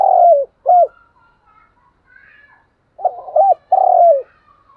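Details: Captive-bird stimulus cooing from a spotted dove for rainy, windy days. The clip opens mid-phrase with a long falling coo and a short arched note, then gives a full phrase after a pause. A faint higher sound is in the background.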